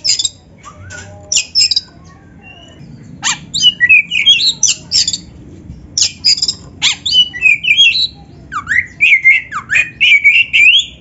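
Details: Continuous Oriental magpie-robin song for tutoring beginner, lazy or reluctant singers: repeated harsh chattering notes that build into a busy run of whistled phrases, ending with loud, sweeping rising whistles.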